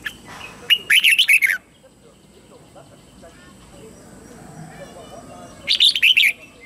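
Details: Red-whiskered bulbul lure bird singing to call wild birds in to fight: two loud, quick warbled phrases of about five bright notes each, several seconds apart, with quiet background between.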